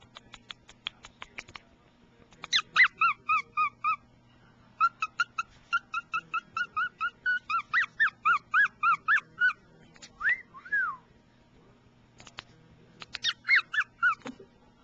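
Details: A male pet cockatiel chatters in quick runs of bright, harmonic chirps, broken by a few rising-and-falling whistles. He makes kissing sounds, laughs, sings and says "peek-a-boo" while his owner works at the computer.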